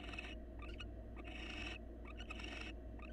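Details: Wild barn owls at a monitored nest box, a male grooming his mate and offering her a meal; harsh, hissing screeches of about half a second to a second repeat several times over a steady low hum.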